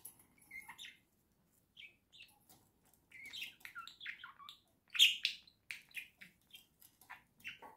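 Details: Pet budgerigars, a pair kept in a cage, singing in November 2024: a chattering warble of quick chirps and squeaky notes in short bursts, loudest around the middle, with brief pauses between phrases and no other clear sounds.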